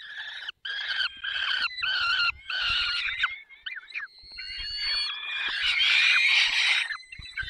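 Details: During a peregrine falcon feeding in the Barycz Valley, 20 May 2021 at 10:22, rapid choppy squealing notes give way to longer, rising, drawn-out shrill cries.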